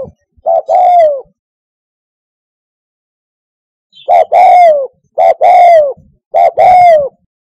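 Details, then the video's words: Spotted dove call for luring doves to a hunting hide: one two-part coo, a quiet gap of nearly three seconds, then three more coos in steady succession, each short note then long falling note. "COCOK UNTUK NYANGGONG - SUARA TEKUKUR TERBAIK"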